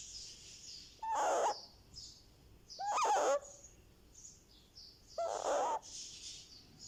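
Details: Happy sounds from a young Indian ringneck parakeet, three grating calls with rising, whistle-like starts, spaced two seconds apart. Soft high-pitched chirps continue underneath.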